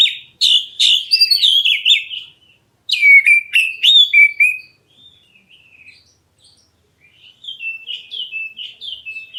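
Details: A black-breasted Oriental magpie-robin, calling to provoke other birds into answering, sings two bursts of loud, varied whistles and harsh chattering notes. Quieter soft notes follow, ending in a series of short, rising and falling whistles.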